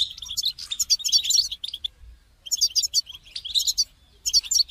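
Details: European goldfinch, played to encourage a caged bird to sing, giving rapid tinkling twitters and buzzy trills in two long phrases separated by a brief pause, then a short final burst.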